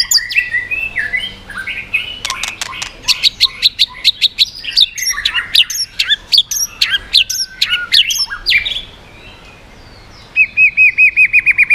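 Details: White-rumped shama in full song meant to provoke other birds, with swiftlet-like ringing voice: dense chattering run of sharp clicks and jumbled whistles, a brief pause, then a fast series of even, ringing notes.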